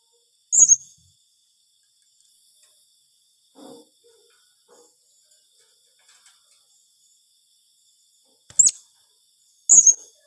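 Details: Blue-crowned hanging parrot calling in the rapid 'tembakan rapat' manner aimed at rivals: three isolated, sharp, very high squeaks spaced several seconds apart, with faint soft knocks between them.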